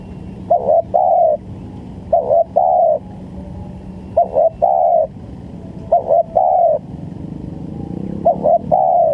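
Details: Spotted dove (tekukur) lure call for bird trapping, repeated five times: each phrase a quick note, a short coo and a longer mellow coo, phrases spaced roughly every one and a half to two seconds, with low hum throughout.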